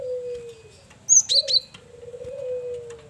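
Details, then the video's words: Lively male cinereous tit used as a lure: a brief cluster of high, sharp whistled chirps breaks over the steady, drawn-out coos of a dove calling in the background. "Burung Gelatik Batu jantan||Burung Gel wingko Gacor Variasi Buat Pancingan"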